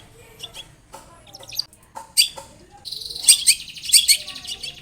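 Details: Long-tailed shrike song meant to prompt another shrike to answer: faint scattered notes at first, then a loud, dense run of high squeaky chirps and whistles in the second half.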